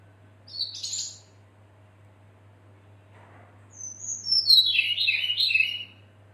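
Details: Female red-billed leiothrix summoning the male, played to trigger singing in other birds: a short rasping burst, a long pause, then a longer falling chatter of high buzzy notes, over a faint electrical hum.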